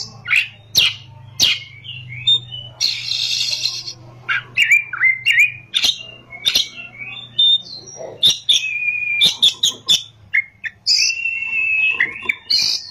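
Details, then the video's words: Oriental magpie-robin pouring out a lively rolling song with shooting high notes, mixing sharp clicks, buzzy harsh phrases and sustained wavering whistles over nearly thirteen seconds, a faint low hum in the first part. "kacer gacor ngerol,nembak"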